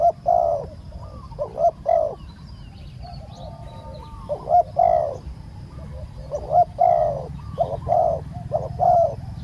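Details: Decoy spotted dove calling to draw in a wild bird: clusters of soft, mellow coos in two- and three-note groups, a pause near the middle, then a livelier run of phrases, with low background hum throughout.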